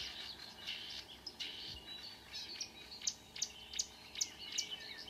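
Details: Marsh warbler song recorded at 5 a.m. in June 2009 near Ski, Norway: a busy high warble that shifts into a series of sharp, repeated ticking notes, over quiet background hiss.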